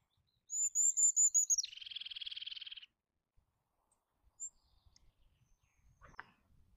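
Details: Eurasian jay: a series of high, thin stuttered notes runs straight into one long, grating, buzzy screech lasting over a second, then silence with faint low rumble.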